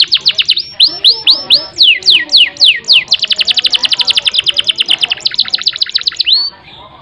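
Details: Lively canary song for drawing a silent canary into long rolls. Chains of rapid trills alternate with sweeping downslurred notes, then one long rolling run closes on a drawn-out whistle.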